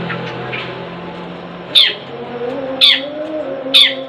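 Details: Pet long-tailed shrike in a cage giving three sharp, harsh, high single notes about one second apart after a quiet start, over a low steady hum and faint background tones.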